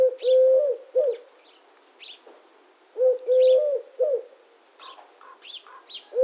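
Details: Eurasian collared dove (Streptopelia decaocto) calling a low hollow triple coo, long middle note flanked by short ones, repeated, while small birds chirp and twitter faintly higher up.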